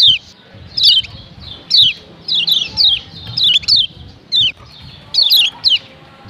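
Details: Lombok yellow white-eye female calling to stir up males: sharp high downslurred chirps, often paired, spaced irregularly about once a second over a low background hum.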